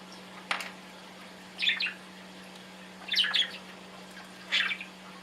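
A budgerigar gives short, scratchy chirps in bursts about a second apart, over a low steady hum.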